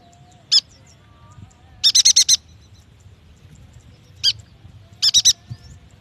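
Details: Yuhina song played to prompt young, newly caught or silent birds to sing: short bursts of rapid, high, buzzy chattered notes, a single note, then four- and three-note groups, spaced by quiet gaps with faint background hum.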